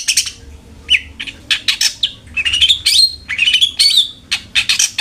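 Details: Long-tailed shrike, a lure to encourage a kept bird to sing: rapid, varied phrases mixing rasping bursts with clear whistled slurs that rise and fall, delivered almost without pause.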